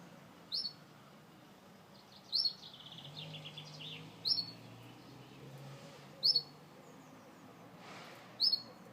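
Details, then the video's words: Gloster canary singing: loud, sharp rising chirps repeat about every two seconds, while a softer, rapid warbled trill runs between them in the middle of the clip over a steady low background hum. "Gloster Canary Bird Singing"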